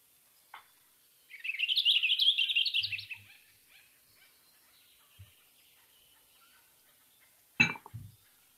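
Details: Western Purple Finch singing a single bubbly, high warble phrase of under two seconds that rises gently and holds no rough or buzzy notes, followed by silence and then a sharp knock near the end.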